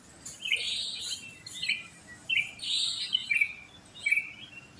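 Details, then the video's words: Just after daybreak in a housing complex full of sooty-headed bulbuls, short bubbly whistled phrases come in quick bursts, about five separate phrases with brief gaps, over a quiet background. "Pancingan Ampuh untuk Terapi Burung Kutilang Malas Bunyi"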